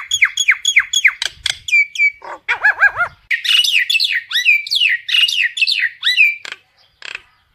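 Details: Flock-gathering call of a common myna: steady quick series of sharp descending whistles, a dip into gurgling looped notes, then a dense run of bright whistled and buzzy phrases ending in a couple of clicks.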